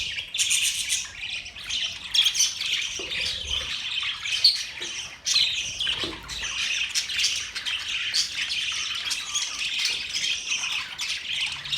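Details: Happy budgerigars keep up a long, busy stream of high-pitched chirps, squeaks and warbling notes, with brief louder bursts near two, four and a half and five seconds and a short dip around six seconds.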